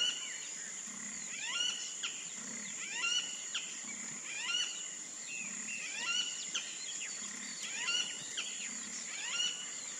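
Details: Wattled jacana in wetland habitat: bursts of rich, descending, harmonic notes repeated roughly forty times a minute, set against a constant shrill insect hum and faint low throbbing.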